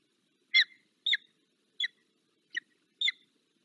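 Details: Peregrine falcon (the falcon Zdenka, on a return visit) in the Barycz Valley, Poland, on 15 February 2023, gives five short, harsh, high chipping notes about half a second apart against a quiet background.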